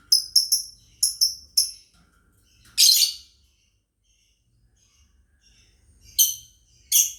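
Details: Lovebird family chirping, kept for training other birds: quick high chirps in short doublets and triplets, then loud harsh broadband squawks near three, six and seven seconds, with quiet low rumble beneath.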